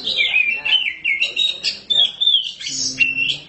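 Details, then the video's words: Caged black Oriental magpie-robin singing without shyness: varied high whistled phrases with quick slurs and trills, broken by brief pauses, and low murmured speech behind. "Kacer hitam gak pernah malu untuk gacor"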